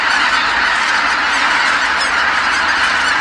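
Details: Dusk at Kabukuri-numa marsh, where geese numbering in the tens of thousands fly back from their feeding grounds all calling at once; thick unbroken chorus of honking, many birds overlapping throughout.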